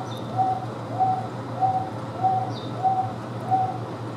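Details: Wonga pigeon at the Houston Zoo, kept with Taveta weavers, giving a steady series of short, clear, mid-pitched coos repeated about every 0.6 seconds over a constant low hum.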